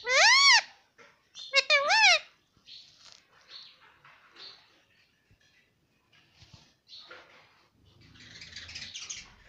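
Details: Pet parrot said to talk nonstop, saying "mummy" and "papa": two loud, harmonic, wavering calls in the first two seconds, then softer, scattered chatter and clicks, with a low rumbling noise near the end.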